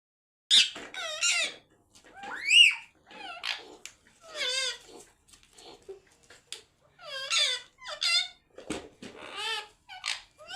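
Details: Pet parrot talking nonstop in a good mood: a steady run of warbling, wavering, speech-like phrases with rising and falling squeaks and short pauses, several utterances every few seconds, in a quiet room.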